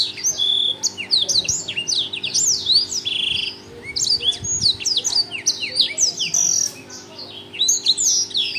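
A Black-throated Canary sings a fast, unbroken run of high, sweet twitters and rising trills, with brief pauses. A low, steady hum sits underneath.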